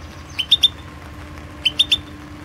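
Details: European goldfinch, Balkan form Carduelis Balcanica, entered in the 2016 internet World Championship in Goldfinch Song; two tight triplets of clear, slightly rising chirps about a second apart, with a faint steady tone behind.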